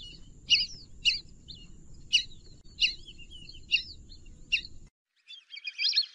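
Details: Repeated high, thin whistles from a Fulvous whistling duck, spaced roughly every half to one second over low hum, then a brief silence and a harsher burst of calling.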